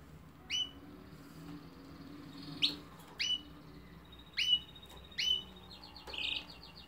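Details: Canary giving short sharp chirps spaced about a second apart, ending with a brief buzzy trill; faint background hum.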